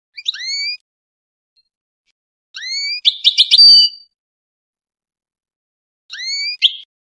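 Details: Tunisian European goldfinch giving rising, slurred whistled notes repeated in separate bursts about every three seconds, one joined by a quick twittering chatter.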